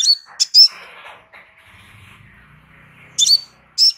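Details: Crimson sunbird's relaxed song used as a training master: sharp, high whistled chips at the start and end, with a steady low murmuring hum in the background between them.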